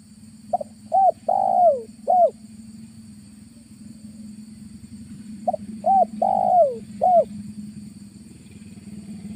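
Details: Spotted dove calling as a trapping lure in August: two phrases of soft hooting coos, a short note, two arched notes, a long drawn downward coo and a final arched note, over steady low engine-like rumble.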